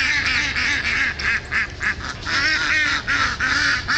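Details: Several Indian Runner ducks stuck on a frozen pond give loud, nasal quacking in quick bursts, about three to four calls a second, pausing briefly between runs of overlapping voices.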